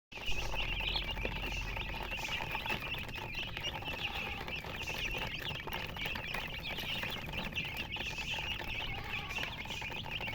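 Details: Colour chickens chirping: a dense, steady chorus of high, thin overlapping peeps runs without a break through the whole recording, with a low indoor rumble underneath.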